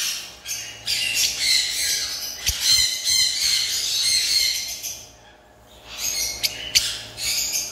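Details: Lovebirds at a bird farm giving harsh, raspy squawks and chattering calls in overlapping bursts, with a brief pause before more sharp squawks resume.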